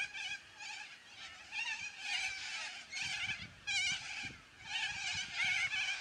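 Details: A noisy flock of yellow-crested cockatoos giving loud squawks: dense, overlapping harsh screeches form a continuous raucous chorus that swells in bursts every second or so, with no other clear sounds.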